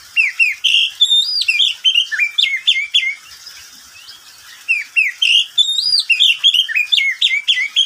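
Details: Caged pet oriental magpie-robin singing at midday: rapid varied phrases of whistled slurs and sharp chirps, about three notes a second, with a pause of about a second mid-way before singing resumes.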